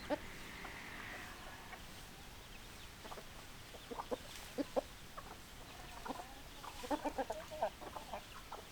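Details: Hens clucking, with short, scattered clucks that become a quick run of clucks near the end, over a steady background hiss.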